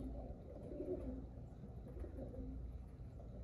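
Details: Pigeons cooing indoors, low soft murmuring coos that rise and fall over a steady low rumble, with faint tapping and room noise throughout.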